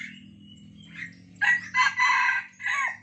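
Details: Junglefowl decoy bird used to lure wild junglefowl. A faint thin note leads into a loud, harsh, broken crow in three or four ragged bursts over about a second and a half, with a low steady hum beneath.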